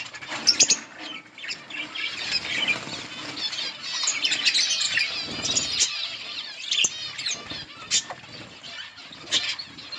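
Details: Budgerigars in a colony eating green leaves, a steady warbling chatter of many birds, with sharp clicks and flutters near the start and end.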